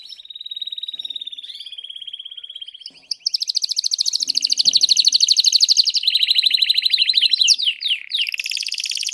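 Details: Singing canary delivering a sustained rolling trill that speeds into dense high chattering repeats, then shifts to sweeping whistled notes near the end.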